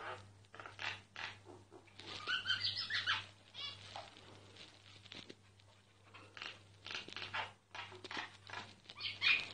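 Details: A singing myna, recorded without it noticing: bursts of crackly, squeaky notes alternate with short pauses, including a cluster of thin whistled chirps early on and harsh rasps later, over a low steady hum.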